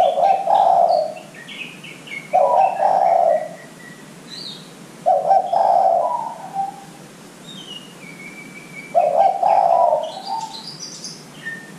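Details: Zebra dove cooing used to coax young doves into calling, four rolling low phrases about every two to three seconds, with high chirps and a drawn whistle of other birds in the background.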